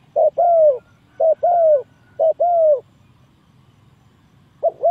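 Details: Spotted dove cooing as a trapping lure: three evenly spaced pairs of a brief coo and a longer, sliding-down croo, a pause of nearly two seconds, then another short coo starts.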